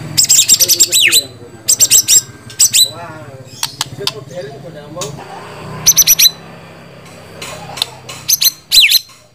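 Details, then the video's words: Song of a white-rumped shama: several brief clusters of rapid, piercing high notes and downward slurs, spaced by gaps holding softer chips and faint low rumbling. "Suara Burung Murai Batu"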